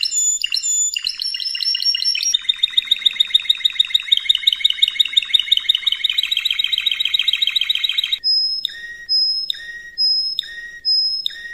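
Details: Spanish Timbrado canary training song: ringing opening notes, a long fast rolling trill, and then spaced, clear bell-like notes repeated about every half second.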